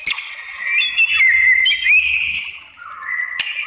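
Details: Provoking song of a white-rumped shama, used to make rival shamas respond: long level and wavering whistles with a rising slur, a low note later and a sharp click near the end.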